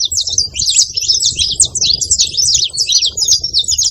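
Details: A flock of saffron finches making noise, a continuous tangle of high, sharp chirps and zigzagging notes from many birds at once, with no break throughout, plus faint low background rumble.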